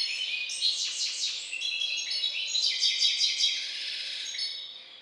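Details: A Balkan goldfinch hybrid bred in captivity gives a bright, energetic twittering song of rapid repeated chips, buzzy trills and tinkling high notes, fading slightly at the close, over a faint constant hum.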